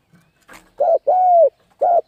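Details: Spotted dove calling in the 'thúc gù' style meant to stir up decoy and wild birds: after a soft rustle, a short coo, a long steady coo, then another short coo and the start of the next.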